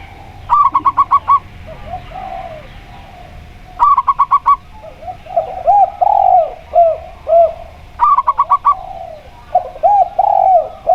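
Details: Local zebra dove singing against a spotted dove. Fast staccato bursts of five or six bright cooing notes repeat roughly every four seconds. Lower, rounded, arching coos from the other dove fill the gaps.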